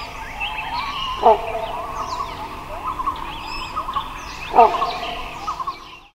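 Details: Wild Great Hornbill (Buceros bicornis) giving two loud, harsh barking calls about three seconds apart, over a steady background of other forest birds' whistles and chatter.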